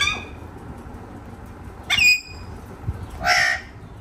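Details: Parrot giving two harsh, loud squawks about a second apart, the first with a bright tonal edge, against quiet background noise.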